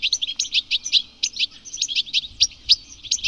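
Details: A European goldfinch twitters away in spring in the UK, a rapid run of bright, tinkling, high liquid chirps and short trills, about four notes a second.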